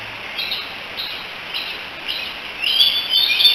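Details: Three young bald eagles in their Decorah nest, 16 July 2018, chatting and calling for their mother: soft, spaced high peeps at first, then a sharper, louder run of thin squealing notes in the final second.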